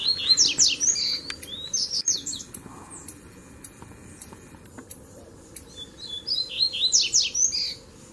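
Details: Double-collared Seedeater, a caged bird taken to the countryside to contest song with free-living seedeaters over territory, giving rapid, bright twittering song phrases of high slurred notes and trills, with bursts at start and near end over steady background noise.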